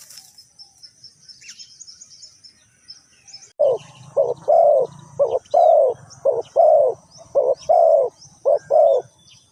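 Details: Spotted dove, used in decoy bird trapping in Ninh Thuận, Vietnam: a few quiet seconds of distant high chirps, then a series of loud mellow coos, short paired notes and longer rounded ones, over a low hum.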